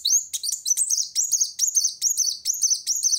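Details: Sunbird singing to challenge a rival: rapid repeated high whistled phrases, each a quick falling-rising sweep, about two to three per second, clean with no other sounds.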